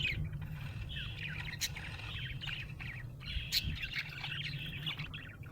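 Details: Budgerigar described as happy, chirping in soft, buzzy warbles and short squeaks, fairly quiet against a steady low hum and background noise.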